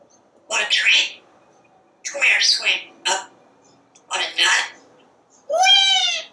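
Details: Pet parrot talking from a screened back porch while watching squirrels and birds: four speech-like bursts of babbled syllables, then a drawn-out harmonic squawk at the end, with quiet room hum between phrases.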